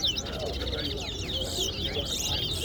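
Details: Towa towa, the chestnut-bellied seed finch, singing in a bird competition at Guyana National Stadium; short burst of rapid, sliding whistled notes and trills over background voices and crowd noise.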